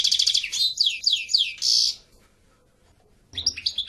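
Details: European goldfinch song opens with fast twittering and several down-slurred whistled notes, then a short buzzy, nasal burst, followed by silence and a fresh outburst of chirps.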